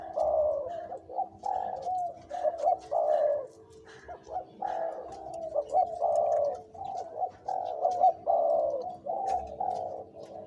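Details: Two-to-three-year-old spotted dove used as a decoy bird, cooing in its large, middle and small voice styles. Rolling, wavering coo phrases repeat steadily over a faint continuous hum.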